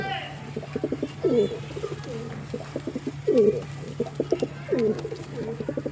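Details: Pigeon cooing in low, throbbing bursts, each a quick stutter of pulses swelling into a rolling coo, repeated roughly every one and a half seconds over a steady low hum.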